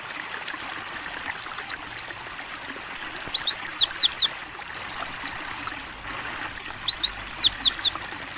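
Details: Pleci, the mountain white-eye, singing ngalas style for a training recording: four quick runs of sharp, very high descending whistles, five to eight notes per run, with gentle trickling water behind.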